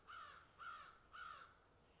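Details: Crows picking and eating; three harsh, nasal caws about half a second apart, each falling slightly at the end, over quiet background hiss.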